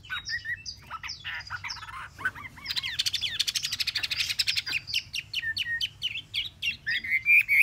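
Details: Caged Chinese hwamei, kept three months in a cage, singing a varied run of whistled notes, then fast buzzy trills and repeated rising slurred phrases over a low hum.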